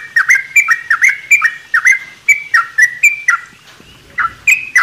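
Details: Sooty-headed bulbul singing in a mini aviary in the morning: short, bright whistled phrases with sharp up-and-down inflections, repeated several times a second with a brief pause before resuming.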